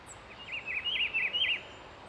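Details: Rufous-browed peppershrike singing in nature at Itatiba, São Paulo, Brazil, recorded 17 August 2024 at 08:30 with a Nikon D5600: one warbled phrase of about five rapid rising-and-falling whistled notes, over steady background hiss.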